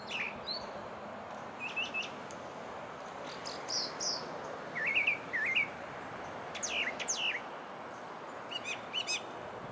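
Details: A brown thrasher sings distant, varied phrases of short chirps and slurred notes, some given twice in a row, against a steady background hiss, at Bay Street Park, Osprey, Florida.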